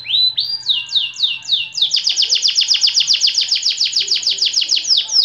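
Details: Long-running song of a white AF canary: a few slow rising whistles give way to a continuous fast trill of sharply falling notes, about four or five per second.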